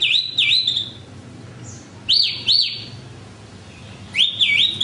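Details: Horsfield's bush lark singing three phrases of doubled whistles, the first and last dipping down then up, the middle pair arching high and sliding down.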